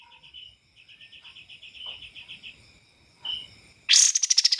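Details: Bar-winged prinia song recorded for bird training, clear with pauses: a steady run of rapid high pulses, a short pause with a brief high note, then a loud, harsh, rapidly repeated chattering burst to close.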